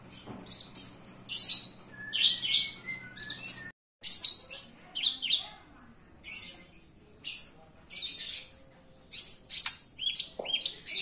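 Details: Horsfield's (Javan) bush lark singing indoors in a fast, unbroken stream of high chirps, trills and buzzy notes, full of mimicry-like variety, with a brief break partway through.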